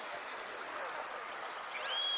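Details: Saffron finch competing in a song contest in the "amarillo de repique" category, giving a rapid run of sharp, high, down-slurred notes, about four per second, with a steady hiss of background noise.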